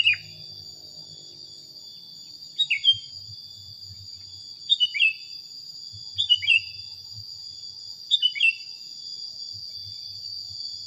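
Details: Sooty-headed bulbul training recording: four short bursts of bright, falling chirped notes spaced about two seconds apart, over a constant high-pitched insect-like hum.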